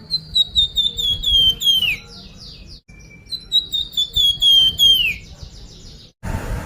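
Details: Sunda pied fantail, locally flamboyan, singing as a lure to make birds sing: two phrases of fast repeated whistles sliding downward, separated by a short gap, followed by a burst of noise.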